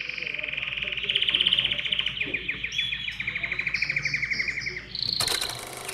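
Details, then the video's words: Canary singing to trigger song in other birds: a sustained rapid trill with a bright whistled edge, ending in a sharp high note and a short higher phrase. "تغريد كناري يحفّز الطيور على التغريد"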